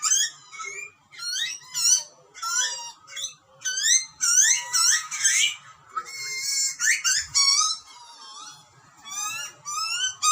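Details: Butcherbird nestlings in Australia begging while parents bring food, a fast chorus of rising, harmonic screeches, overlapping at times, with a noisy rasping burst near the middle.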